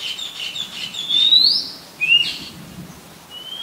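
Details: Oriental magpie-robin in Ubon Ratchathani, Thailand, recorded on 18 April 2022 with a Nikon P1000: a long rising whistle, a brief upslurred note, then a thin level whistle, over quieter twittering.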